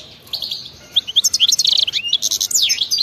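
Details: Wild European goldfinch 'batbata' song building up: scattered high chirps quickening into rapid twittering runs and a sweeping down-and-up slur near the end.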